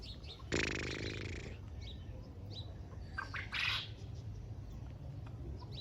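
A black francolin gives a loud, harsh, grating burst lasting about a second, then a shorter rasping note. Faint chirps from small birds and a low rumble sit behind it.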